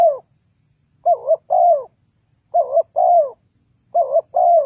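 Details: Spotted dove call played to lure birds into traps: three two-part phrases, a brief wavering coo followed by a drawn-out descending coo, spaced about 1.4 seconds apart, in quiet surroundings.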